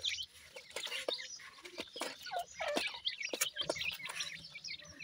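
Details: Feeding grey francolin chicks keep up a busy stream of brief high peeps and twittering chirps, mixed with frequent sharp clicks and light background noise.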